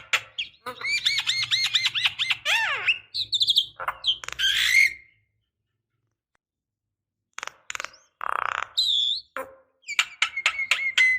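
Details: Javan myna female calling to a male, used as decoy: a fast chatter of looping whistles and harsh squawks, several seconds of silence, then more scratchy squawks, clicks and a thin drawn whistle.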